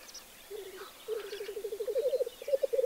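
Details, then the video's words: Black grouse displaying at the lek: after half a second, low bubbling, cooing pulses begin, pause briefly, then run on steadily and grow louder to the end, with faint higher chirps of other birds behind. "Тетерев на току"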